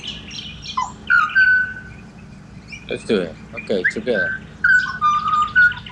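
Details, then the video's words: Pied butcherbirds in Australia whistle clear level notes, interrupted midway by several harsh, grating bursts before the fluting serenade resumes. "BUTCHER BIRDS Serenade / Serenata de Pajaros Carniceros"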